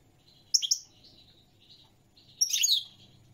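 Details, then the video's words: Two quick bright chirps from a European goldfinch, then soft thin twittering, and after a pause a louder burst of jangling, high-pitched warbled notes, over a faint low hum. "تغريد الحسون الملكي 🐦 chant de chardonneret goldfinch song"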